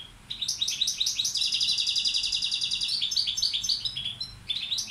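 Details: European goldfinch, balcanica subspecies, a male kept as a tutor bird, delivers a continuous liquid twitter of rapid high chirps and buzzy trills lasting over four seconds.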